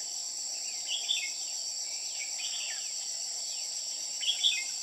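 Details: White-cheeked red-whiskered bulbul at a bird trap sings clear whistled phrases of swooping notes with sharp bright peaks near the start and end, against a persistent high-pitched insect chorus.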